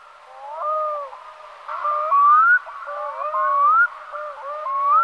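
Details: Black-throated Loon (Black-throated Diver) calling: overlapping wavering, harmonic mid-pitched tones, several gliding upward into short bright whistles, with loud bursts and quieter murmuring between, possibly more than one bird.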